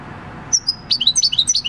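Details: Six-year-old wild-caught European goldfinch, field-style song, 26 December 2019; a couple of thin high notes followed by quick paired tinkling chirps repeated in a short run.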